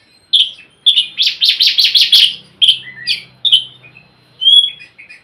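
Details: An Oriental magpie-robin sings to encourage a bird that is slow to sing: a rapid series of about six loud rasping notes, followed by scattered chirps and a clear whistle near the end.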